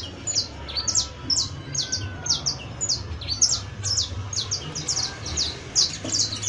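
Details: Canary on 31 December 2022 singing continuous high, bright, downward-slurred chirps in quick repeated groups, several per second, above faint low hum.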